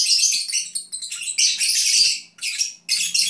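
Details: Pet Agapornis lovebirds singing as they doze, a dense stream of scratchy, rasping high twitters with brief gaps near the end.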